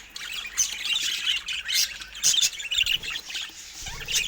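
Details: Several rare budgerigars filmed in natural Nordic light; steady chattering warble with sharp squeaky notes rising out of the mix.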